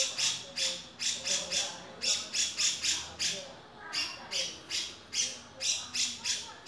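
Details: Male grey-cheeked bulbul giving a fast series of harsh, rasping, broadband notes in short clustered bursts, roughly three per second, with brief pauses between groups.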